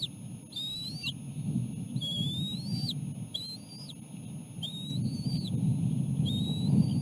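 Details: Osprey at the nest as the adult male, then the female, feeds a small fish to three chicks: clear whistled notes that rise and hold before ending abruptly, repeated about every second, over a steady low rumble.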